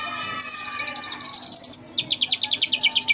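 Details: Oriental magpie-robin giving mimicry-filled tutoring song: a long, rapid high trill of evenly repeated notes, a short pause, then a slightly lower, coarser trill of repeated chirps.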